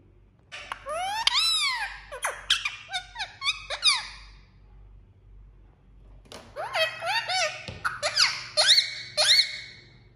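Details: Indian ringneck parakeet kept indoors as a talking pet, giving a series of sharp, arching whistled chirps in quick bursts, a pause of about two seconds, then more squeaky rising and falling notes in a small room.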